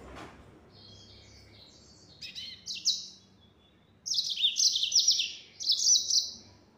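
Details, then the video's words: Soft high warbling builds into loud, rapid, sharply chirped phrases from a yellow-fronted canary singing 'gacor', in the fast 'nembak' style. "Burung Mozambik Gacor Suara Nembak Full Speed.."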